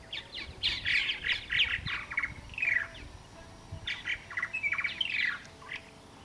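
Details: A flock of purple martins, back after a three-year absence, chatters in quick bursts of gurgling, throaty chirps and rolling warbles, several birds overlapping against a quiet rural background.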